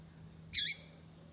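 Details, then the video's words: A single brief, buzzy chirp from a female double-collared seedeater, calling to stimulate a male to sing, heard over a steady low hum. "FÊMEA PAPA CAPIM PIANDO PARA O SEU PAPA CAPIM FICAR LOUCO PRA CANTAR"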